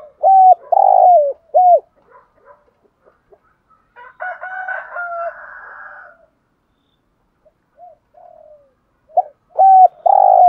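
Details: Caged decoy spotted dove cooing to attract wild doves: clipped hollow coos open the stretch, a quieter warbling interlude with higher tones follows, then loud coos return at the end.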